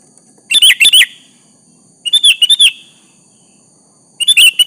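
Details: Lively sooty-headed bulbul song used as a lure to draw a rival's reply: three short phrases of three or four rich, rolling whistled notes, arriving roughly every one and a half to two seconds over quiet background.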